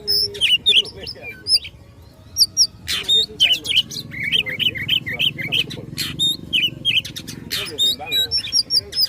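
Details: Caged Oriental magpie-robin in fighting song meant to provoke rivals, delivering bright whistles, rasping bursts and short repeated chirps in quick succession, with faint low background noise.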